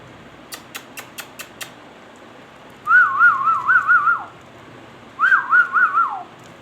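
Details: Six evenly spaced sharp taps come first. A ringneck parrot then whistles two wavering, trilled phrases, each ending in a downward slide.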